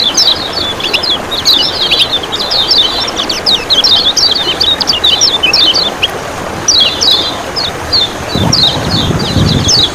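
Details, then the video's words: Kecial kuning, a Lombok oriental white-eye kept by bird hobbyists, delivers fast high twittering song phrases in long runs with short gaps, a low thud near the end and constant water sound behind. "Ciak Ciak Joss Masteran Kecial Kuning Macet Malas Bunyi CC 150 Full Speed"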